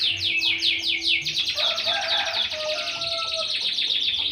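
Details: Canary kept for breeding and field competition: fast descending trilled strokes at the start, then a dense rolling warble with sustained high tones, loud and continuous.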